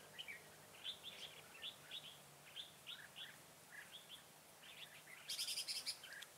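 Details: Red-whiskered bulbul, a decoy bird singing in a fight to lure wild bulbuls into a trap, Vietnam, 25 September 2018; rapid run of short whistled chirpy notes, several birds overlapping, with a brief high buzzy burst near the end.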